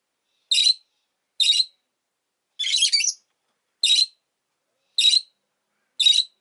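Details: Pair of rosy-faced lovebirds kept as pets, sitting together at an entrance, utter sharp, raspy chirps roughly once a second, six calls including one longer, rougher squabbling burst in the middle.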